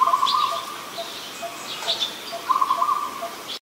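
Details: Adult zebra dove in Ubon Ratchathani, Thailand, 28 December 2020: two short bursts of quick, stuttering low coos about two seconds apart, with thin high chirps of other birds between them.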